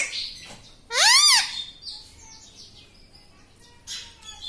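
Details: Talking pet parrot known for saying "mummy" and "papa" gives one short arched call, rising then falling, rich in harmonics. Faint chirps and soft background noise follow.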